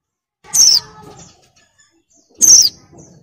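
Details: Two sharp, high downslurred notes about two seconds apart from a female oriental white-eye in breeding condition, luring a male.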